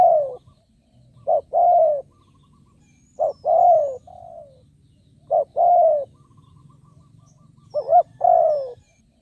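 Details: Spotted dove decoy bird calling to lure wild doves: short low note followed by a long, slightly falling coo, phrases repeated about every two seconds, with a few softer trailing coos and a faint low hum underneath.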